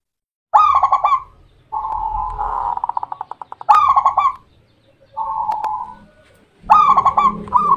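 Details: Local Zebra dove (perkutut) from Indonesia singing: phrases of rolling, burry coos with a stuttered start and a trilling middle, repeated about every three seconds with short pauses between.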